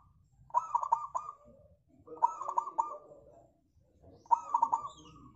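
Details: Zebra dove, a local bird used as a lure to get others singing, gives three similar cooing phrases about two seconds apart, each a few quick stuttered notes followed by a trailing hum.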